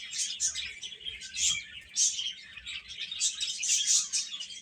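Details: Chicken chicks chirping together, a dense chorus of high, thin overlapping peeps running without pause, with louder bursts coming every half second or so.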